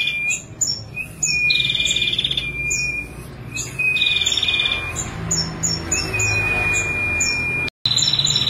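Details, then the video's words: Female prinia kept for song training: sharp high chirps lead into a buzzy trill with a drawn whistle below, repeated several times over eight seconds with one abrupt cut. "Masteran Prenjak Betina Kristal Nembak 22 Detik Tanpa Jeda"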